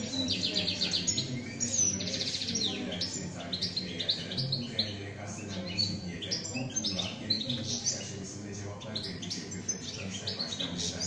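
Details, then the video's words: European goldfinch kept as a cage bird, singing a long 'şak şak' style song: rapid, high, twittering notes and clipped chirps that flow on without pause, over a low background hum. "Saka kuşu ötüm videosu, Şak şak vuran saka"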